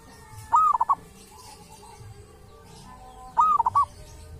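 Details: Zebra dove, a local wild bird recorded at a sacred tomb and noted for its distinctive voice, sings two identical cooing phrases about three seconds apart, each an arched note then quick clipped coos, over steady low hum.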